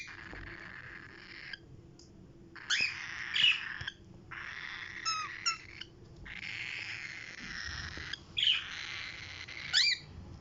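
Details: Pet lutino cockatiel playing, giving harsh, scratchy chirps and squawks in short bursts, with brief pauses between.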